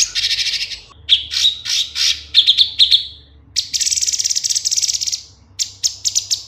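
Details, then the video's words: Cucak cungkok bulbul singing, recorded to teach caged songbirds: dense, buzzy high chatter, then a rapid trilling burst and a few sharp chirps near the end, with quiet gaps between phrases. "Suara Cucak Cungkok kualitas jernih, untuk masteran"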